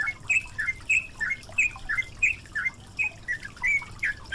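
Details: Yellow-vented bulbul on a singing-training recording blended with water sounds: brisk, slightly harsh chirped notes given about three a second in an even run, with a gurgling low background.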